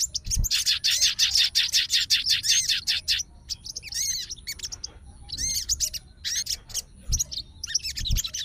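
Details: Captive sooty-headed bulbul of the fighter type, agitated and calling out to a rival, reacting to another bird's song. Dense rapid chattering bursts of high buzzy and whistled notes, packed for three seconds, then shorter scattered phrases with gaps.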